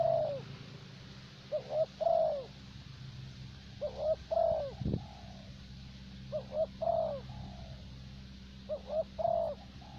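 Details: Decoy spotted dove in Vietnam, a bird favoured for luring, repeats its low cooing phrase four times about every two seconds, each with two quick notes leading into a longer mellow coo, with a steady background hum.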